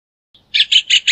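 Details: Four loud, bright, ringing notes from a rufous hornero, evenly spaced in quick succession, cleanly recorded against silence.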